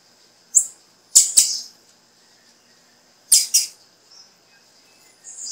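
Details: High, short chip notes from a female blue-black grassquit, calling to encourage the male to sing; one single chip, then doubled chips about two seconds apart.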